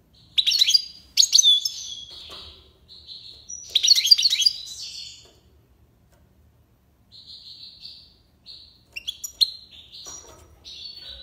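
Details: European goldfinch singing tiwawati song in Algiers, Algeria: dense bursts of high jangling chirps, a quiet gap, then softer scattered twitters and sharp clicks.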